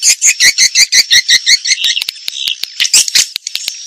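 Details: Swiftlets calling, a sound used by swiftlet farmers to call and attract the birds: rapid, harsh twittering chirps repeated about three per second, first in a steady run, then in looser, sharper clicks.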